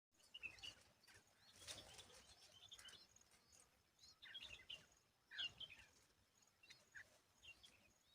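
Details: Asian babbler tending its babies, cleaning bugs away and protecting them; faint high chirps and short whistled notes come in scattered bursts, with soft rustling and background noise between them.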